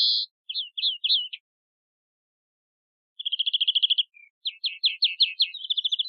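A European greenfinch sings bright, high twittering phrases, then a fast rolling trill and a run of quick downward-slurred notes, against a quiet background.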